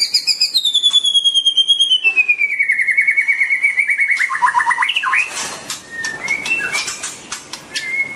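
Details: White-rumped shama (Copsychus malabaricus) song opening with a long pure whistle gliding slowly downward, then a fast descending series of rhythmic notes, followed by softer scattered chirps and clicks.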